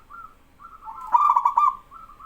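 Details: Local male zebra dove in full song, encouraging other doves to sing along: a low mellow coo opening into a loud rolling, pulsed trill, with softer cooing phrases before and after.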